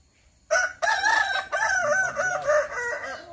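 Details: Kukuak Balenggek rooster at a practice crowing contest in Sawahlunto. After a short quiet start, a loud crow bursts in and rolls through a long series of bouncing, stepped syllables to the end.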